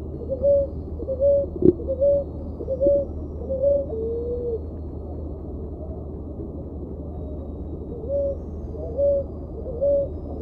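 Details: Ruddy ground dove (Columbina talpacoti) song: evenly spaced soft coos on a single pitch, a brief click, then a pause of a few seconds before the coos resume, all over a low steady hum.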